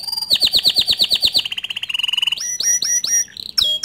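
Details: Bottle-green canary singing as a master song for young and untrained canaries. Rhythmic chopped phrases at about eight notes a second give way to a buzzy trill, a flat whistle, and sharp rising chirps.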